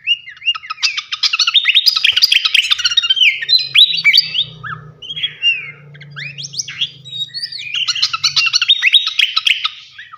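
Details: Flycatcher delivering a long, rich song for training contest birds: dense runs of rapid twittering and chirps, a short break of slurred whistles, then another fast twittering burst, over a faint low hum.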